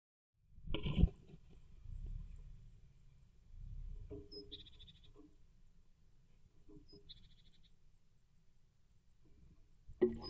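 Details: A Eurasian blue tit in its nest box in the early evening on 15 May 2024 hisses sharply in short bursts, with wing beats, to drive off a disturbance, probably another tit outside, over low rumbling and faint high chips.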